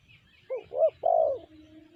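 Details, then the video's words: A spotted dove, the tekukur BL type, with a three-part coo: clipped opening note, rising curved middle note and a longer trailing coo, against faint distant birds. "Tekukur BL suara sanji"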